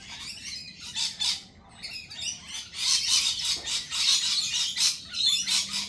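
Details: Harsh lorikeet squawks from a busy group, grating screeches repeated roughly once a second, overlapping into a loud, rough chorus that swells toward the second half.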